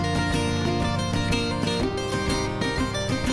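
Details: Dense plucked-string music with a steady rhythmic pulse, bright harpsichord or guitar-like notes filling the whole time, with no animal sounds.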